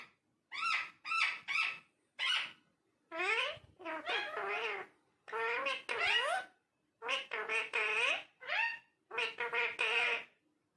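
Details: Parrot talking in a fast, nearly continuous run of voice-like syllables, some clipped and some wavering, rising and falling like chattered speech.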